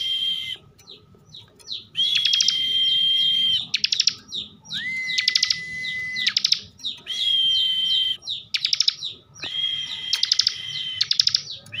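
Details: Caged bar-winged prinia in Tegal, Central Java, performing the 'bren' song style: alternating high and lower sustained whistles laced with fast clicking rattles and brief downward chirps, in regular bursts.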